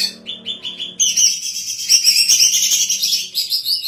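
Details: Singing female greater green leafbird, kept for training other birds and as a lure: a few spaced chirps open, then a dense, high, chattering warble pours out without pause.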